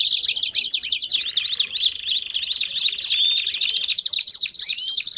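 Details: Lively baderna canary song played to warm up canaries: sharp hooked whistles repeated several times per second, building into a rapid rattling trill with looping slurred notes toward the end.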